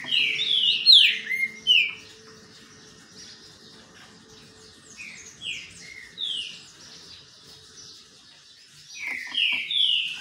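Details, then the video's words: Sunbathing green-winged saltator in song, giving clear falling whistled phrases in bursts at the start, middle and end, with quiet gaps between them. "trinca ferro cobra no banho de sol"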